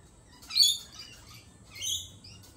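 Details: Two loud, piercing squawks from a lorikeet, roughly 1.3 seconds apart, each a short rasping burst with a softer trailing whistle.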